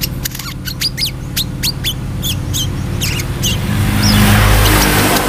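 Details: Brown-throated sunbird in vigorous song, quick high chirps and swooping squeaky notes in a dense burst during the first three seconds, then a loud rushing noise drowns the end, with a constant low hum throughout.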